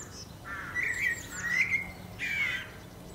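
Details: A blackbird sings three mellow, whistled phrases with slight slurs, each lasting about half a second, separated by short pauses. A faint low hum runs in the background.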